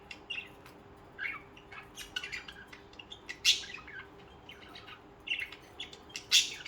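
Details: Pet budgerigars singing and chirping: scattered short, buzzy squawks and bright chirps at irregular intervals, some loud and harsh, over a steady low indoor hum.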